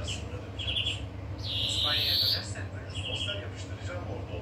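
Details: European greenfinch song: a few quick high twittering trills, then a long, drawn-out buzzy wheeze held for nearly a second, then more short trilled notes, over a steady low hum.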